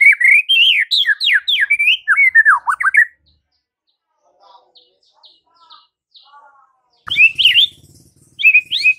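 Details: Morning song of a white-rumped shama, used to make rival shamas answer at once: rapid run of varied whistled and warbled notes, then a quiet gap with faint softer notes, then loud rich phrases resume.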